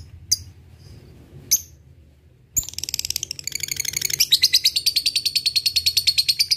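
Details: Lovebird song used as a lure to provoke rivals, in the ngetik-then-ngekek style: two isolated sharp chips, then a long fast chatter of high buzzy notes, about three per second, steady and ringing.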